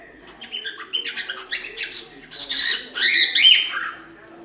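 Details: Cockatiel warbling a busy run of chirps, squeaks and short whistles, rising toward a louder, harsher stretch near the end, with faint low background sound beneath.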